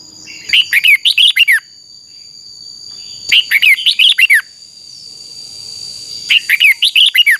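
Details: Singing-contest and training song of a red-whiskered bulbul: three bright bursts of quick, loud whistled notes, each about a second long, separated by quiet pauses with a steady faint background tone.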